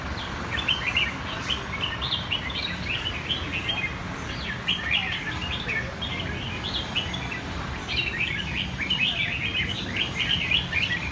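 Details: Red-whiskered bulbul delivering lively, rapid runs of sharp chirping notes in dense repeated bursts throughout, set against a persistent low background hum.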